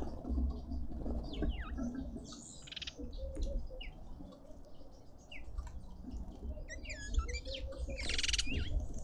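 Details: Red-winged starlings feasting at a feeder in a suburban garden in Pretoria, South Africa: sliding whistled notes and short buzzy, rasping bursts come in uneven runs. A steady low rumble and dripping sounds sit beneath.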